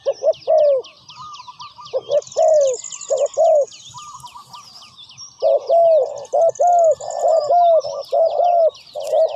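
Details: Spotted dove cooing in a decoy-trapping setting: mellow low coos in clusters of two or three, with a longer slurred note ending each group, repeating steadily against a busy background of thin high chirps and trills from other small birds.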